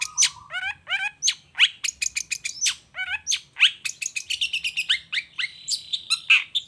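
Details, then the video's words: Long-tailed shrike in busy song, played as a lure to make other shrikes answer: quick varied phrases of harsh chattering notes, clear whistled slurs and repeated sharp chips, with a low steady tone near the start. "Suara Cendet Gacor Toet toet"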